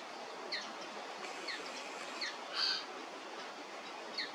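A common linnet gives short, light chirping notes, scattered about every half second, over a steady background hiss.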